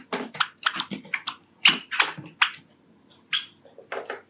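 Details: Indoor pet Java sparrow, a Sakura male, giving a love song: steady bursts of chattering clicks and bright chips, roughly three or four per second, then a looser tail of scattered notes.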